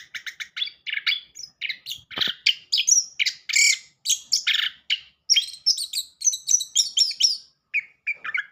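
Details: {'caption': 'Orange-headed thrush song used to stimulate a silent bird to sing: a long, steady stream of rapid, varied high chirps, whistles and mimicked-sounding phrases with only tiny pauses.'}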